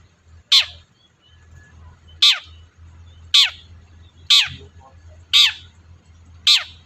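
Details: Long-tailed shrike used to provoke a quiet bird into singing, giving six loud, harsh downward-sweeping screeches spaced about a second apart over a faint low hum.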